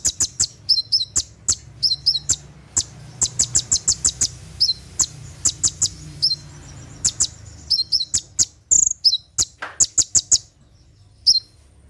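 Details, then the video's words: Konin, or olive-backed sunbird, singing its 'tembakan' at night, used for training caged birds: a long string of thin, very high chirps and short slurred notes in fast irregular clusters, briefly pausing before resuming. "SUARA TEMBAKAN KONIN SAAT DIMALAM HARI"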